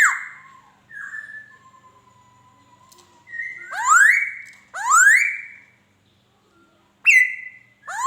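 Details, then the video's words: Laughingthrush song: clear whistles that slide downward and then hold level, followed by two strong upward-sweeping whistled slurs and a bright falling note at the close. "Tiếng Chim Khứu hót"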